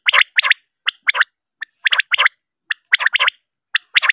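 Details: Common quail, used as a lure sound for night hunting and netting, gives liquid, clipped three-note phrases, repeated roughly every second, against a quiet, clean background.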